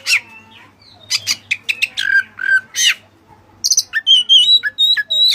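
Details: Kacer, an Oriental magpie-robin, in energetic song with Cililin fill-ins: harsh buzzy notes and slurred whistles, then high chattering chips and a series of clear, bouncing whistled notes.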